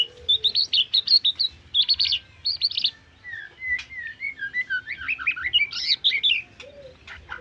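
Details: White-rumped shama in full song, rich varied phrases: bursts of sweet whistled notes and buzzy trills high in pitch, then a run of lower slurred whistles and rapid warbled figures, with a faint low hum behind.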